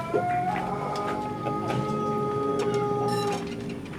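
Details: A young Pelung rooster basking in the sun in Sukabumi regency holds a long, even crow for about three seconds over a noisy background of low hum and scattered clicks.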